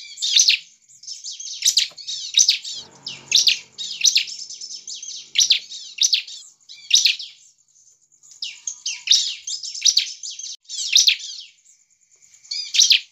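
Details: Bar-winged prinia in energetic song used to provoke other prinias into singing; bursts of sharp, high chattering notes and buzzy trills, each lasting under a second, repeated about every second with brief pauses, plus a faint low rustle near three seconds.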